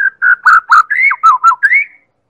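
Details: White-rumped shama, Medan type, heard in a lure recording used to make other birds sing: loud, rich whistled notes in a fast run of about eight, falling and rising, closing on an upslurred whistle.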